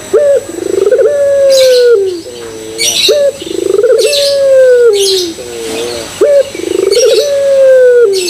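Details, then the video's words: Pelung-style Barbary dove cooing to draw other doves into song. Long sustained coos begin with a clipped note and buzzy pulses, sometimes followed by a softer wavering tail, about every three seconds. Sharp high chirps from other birds sound between phrases. "Pancingan Puter Pelung Bikin Puter Pelung Yang Lain ikutan Gacor"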